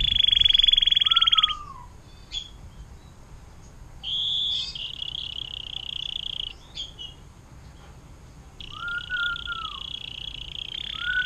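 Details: Canary singing a long 'air mancuran' (water fountain) style song, used as tutor material for magpie robins, green leafbirds and long-tailed shrikes. Sustained high buzzy trills alternate with lower slurred, arching whistles, separated by brief pauses.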